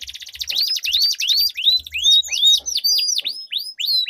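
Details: Canaries singing in duel to spur others: a buzzy trill under slow, evenly spaced rising whistles that quicken into sharp falling chirps roughly every third of a second.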